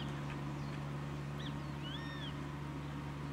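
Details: Grey-faced buzzard, one of a pair back at its breeding site in Kanagawa, Japan, on 13 April 2013, as in the previous year; a single drawn-out arched whistle, rising then falling, over steady low hum and noisy background.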